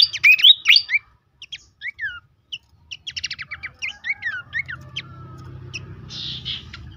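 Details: Horsfield's babbler (pelanduk semak) song used as a therapy lure to get birds singing: loud rising and falling whistled slurs, then pauses and quick clusters of clipped chirps, fading into softer notes over a low steady hum.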